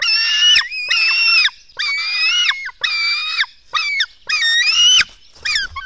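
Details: Black stork young calling at the nest while being fed, Latvia, dawn of 24 June 2016: piercing, harmonic squeals, some rising at the end, in bursts under a second long with short silent gaps.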